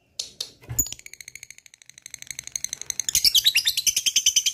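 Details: Lovebird singing to provoke other lovebirds to sing: a long chattering run of rapid, evenly repeated high notes that quicken and grow louder into dense, harsh trills toward the end, after a few brief opening chirps.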